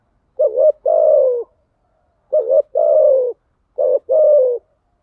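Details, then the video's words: Spotted dove coo used as a decoy lure, described as female lure calling: three evenly spaced low phrases, each a quick bent double note leading into a sustained, gently descending hollow coo, with silence between. "Tiếng chim cu gáy mồi giọng lôi cuốn hấp dẫn đủ bài[ THÚC GÙ , GÁY GỌI ]"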